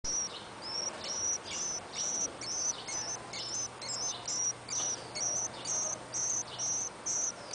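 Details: Warbling white-eye nestlings on their ninth day after hatching, two days before leaving the nest, give thin, very high peeping notes repeated steadily about twice a second over a faint background hiss.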